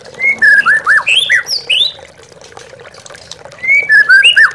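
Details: White-rumped shama lure song for stimulating captive birds. A burst of quick, varied whistled and slurred notes, then a quieter pause. A second bright burst of looping whistles follows, with trickling water in the background.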